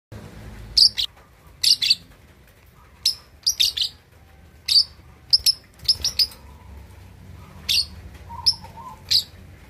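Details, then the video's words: Young lovebird, 2.5 months old, learning to chatter; short sharp high chirps in scattered bursts of one to three, with quiet pauses between and a faint low background hum. "Love Bird Usia 2,5 Bulan Belajar Ngekek || Paud Balibu Cocok Buat Memancing Lawan..!!!"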